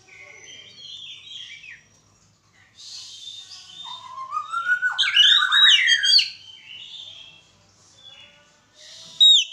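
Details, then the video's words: White-rumped shama in a mating pairing, delivering varied whistled phrases, a loud climbing warbled passage in the middle, then quieter scattered notes and a closing sharp call. "penjodohan burung kacer"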